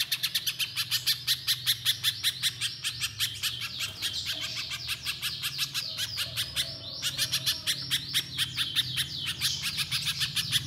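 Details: Little spiderhunter delivering a long, rapid stream of clipped high chirps, almost continuous, briefly dipping in loudness midway before resuming at full pace, over a soft low background hum.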